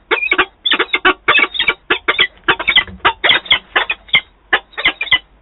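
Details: Two adult peregrine falcons meeting at their Wałbrzych, Poland, nest site, 11 September 2022, nest-camera recording: rapid chattering series of rasping, scratchy calls, about five per second, in clustered bursts separated by short gaps.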